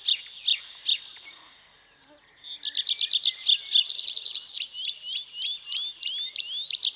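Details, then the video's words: Nightingale singing: a brief phrase of high whistled notes, a short pause, then a rapid run of repeated sharp notes building into a dense trill, ending with rising slurred whistles. "Пение соловья"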